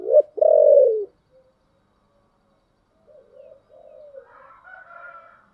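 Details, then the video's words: Spotted dove giving its 'giọng thổ' song: a loud low coo phrase opens, a short note and then a long sustained one, followed after silence by quieter, softer coos trailing away. "cu gáy giọng thổ"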